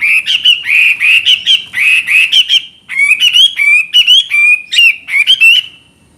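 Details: Loud, continuous Chinese hwamei song: fast repeated warbling whistled phrases, some ringing and slurred, others buzzy, pouring out steadily for about six seconds.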